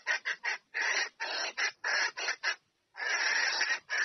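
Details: Red junglefowl hen calling her mate: a dense run of coarse, grating notes mixing short clucks with longer drawn rasps, a brief gap, then more drawn rasping.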